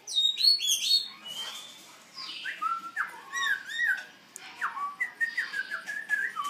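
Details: Juvenile black throat practising its song: high buzzy trills open the phrase, followed after a pause by a loose string of slurred downward whistles and chirps, uneven in rhythm, heard indoors.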